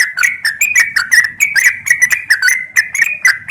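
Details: Female yellow-vented bulbul calling a male: a continuous, animated chatter of bright, warbling chirps that swing quickly up and down in pitch without pause.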